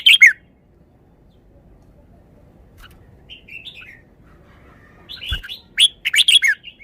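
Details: Red-whiskered bulbul shows off its song phrases: a sharp chirping burst, then soft warbled notes, and a lively cluster of quick bright whistled chirps near the end, with one low thump in between.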